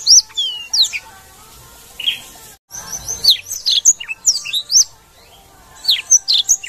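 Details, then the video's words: Blackthroat in lively full song: rapid varied phrases of sharp whistled notes and slurred upward and downward sweeps, delivered in bursts with a brief pause, high-pitched and bright. "blackthroat gacor"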